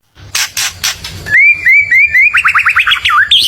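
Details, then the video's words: White-rumped shama song, a filler passage meant to provoke neighbours' birds: a few broad noisy bursts, then clear whistled notes that fall and rise. These give way to a fast run of short, repeated upward-sweeping notes ending in higher whistles. "MASTERAN MURAI BATU // isian suara murai bikin emosi burung tetangga"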